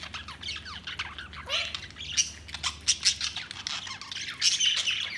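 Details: Several budgies chattering in a continuous scratchy warble, quick chirps and rasping squawks crowding together, a few louder peaks in the second half, faint low hum and possible wing flutter.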